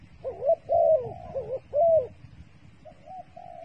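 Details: Bait dove calling with warbling, undulating coos, two or three linked phrases then a softer trailing series after a pause.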